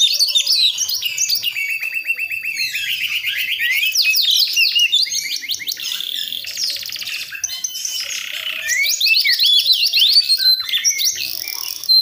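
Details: Young Priangan White-rumped shama, forest-born in West Java, practising song from soft to harsh warbling: dense rapid chattering and sweeping whistled notes, long twittering runs with fast down-slurred trills, continuous throughout.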